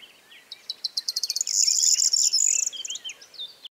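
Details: Corn bunting (Emberiza calandra) singing in a meadow by Rozhen Monastery, Pirin Mountains, southwestern Bulgaria, on 21 May 2015: a short phrase of high ticking notes speeding into a dry, jangling, buzzy trill, with faint other birds behind.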